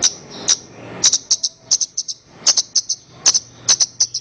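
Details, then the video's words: Horsfield's bush lark song, recorded for training other birds: thin, very high, clipped notes, often in quick pairs or triplets, repeated irregularly over a quiet background. "Ocehan Suara Burung Branjangan"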